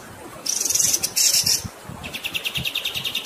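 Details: Shrill, hissing buzzy phrases from a kapas tembak give way to a run of quick, evenly repeated high chirps, a rolling training song.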